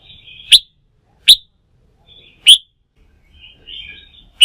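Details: Newly wild-caught red-whiskered bulbul excited for song-contest training gives single sharp, bright chip notes about once a second, with soft thin warbling between them.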